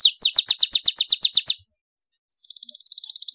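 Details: Loud domestic canary song: a quick run of repeated chirping notes, about four per second for over a second, a short pause, then a softer fast even trill.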